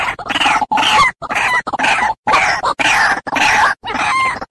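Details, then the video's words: White-breasted waterhen lure sound: a series of grating, raspy croaks, each lasting under half a second, repeated about twice a second with brief pauses, some showing a faint whistled overtone. "Suara pikat ruak-ruak"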